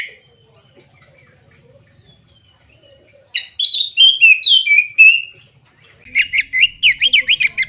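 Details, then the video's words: Oriental magpie-robin, a kept bird in full 'gacor' song: after near silence, a rapid series of whistled notes sliding down in pitch, followed by a burst of fast rising-and-falling trilled notes. "Kompilasi Suara Burung Kacer Berkicau Gacor"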